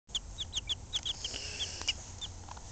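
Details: Two Ameraucana chicks, one week and two weeks old, peeping: high, short descending cheeps repeated several times a second, some doubled, over a low background hum.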